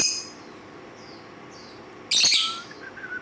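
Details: Lovebird giving one loud, shrill, harsh chirp with stacked overtones, lasting under half a second, followed by a few faint whistled notes against a quiet indoor background.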